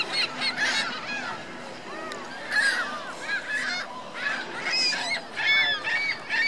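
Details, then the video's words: Geese with goslings at Virginia Lake in Reno give a busy run of honks, many overlapping nasal calls rising and falling in short bursts with brief lulls between them. "Geese Goslings Reno Virginia Lake"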